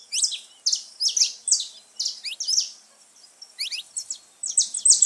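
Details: Saffron finch song used to excite pet birds: clusters of bright chirps and sweeping notes in rapid bursts, a brief quieter stretch, then renewed loud buzzy phrases.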